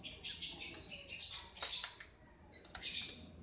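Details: Long-tailed shrike in breeding condition, singing hard: a rapid run of high, harsh chattering notes and squeaky twitters in short phrases, with a brief pause before a final burst.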